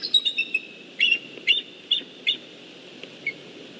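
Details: Eagle pair at the nest shortly before hatching, communicating and staying close: a run of high, thin chittering notes, then short squeaky two-part calls repeated about every half second, fading at the end.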